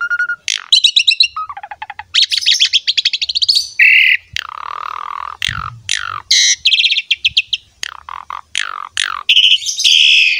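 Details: Vigorous Asian pied starling song for training other starlings to sing: varied phrases mixing clear whistles, quick repeated rattling notes, harsh buzzy blocks and sweeping downslurs, delivered in near-continuous bursts.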